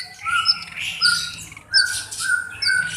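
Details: Black-browed reed warbler giving harsh, slightly nasal notes about once a second, each paired with a thin high squeak, against a low hum.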